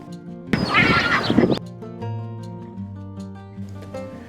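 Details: A lesser black-backed gull, recorded at a freshwater site, gives one harsh, raucous call lasting about a second, then soft background music carries on alone.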